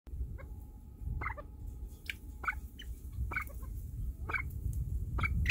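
Golden pheasants giving sharp, clipped calls, repeated about once a second over a low rumble.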